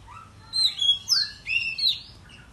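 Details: Oriental magpie-robin (kacer) in excited morning song. Short burst of loud, bright whistled notes, some sliding upward and some downward, delivered in four quick pulses.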